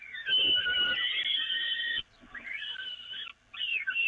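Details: Peregrine falcons being fed on the Evoluon nest grating, 13 May 2018: one long hoarse wail followed by two shorter, quieter rasping calls with brief gaps between them.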